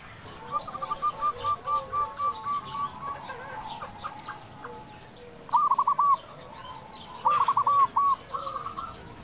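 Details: Local zebra dove song played to lure and stimulate other doves: a soft series of cooing notes, then two louder bursts of rapid bubbling coos later in the clip, over background hiss.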